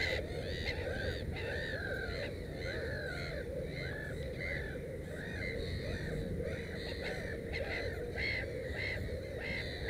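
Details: Black-headed gulls at a nest holding three chicks: a dense chorus of harsh, arched, croaking calls from many birds, overlapping and repeated several times a second over a low background rumble.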